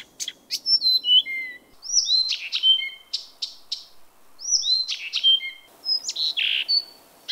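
Blyth's reed warbler singing at night: varied high phrases of clear falling whistles and dry clicks, some repeated, over a soft low background hum.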